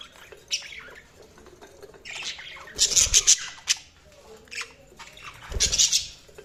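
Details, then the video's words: Budgerigars squawk and chirp in harsh, scratchy bursts, with a loud cluster of grating notes near three seconds and another near six, and softer chatter in between, plus a few low knocks. "Budgies Sounds| Budgies Chirping sound"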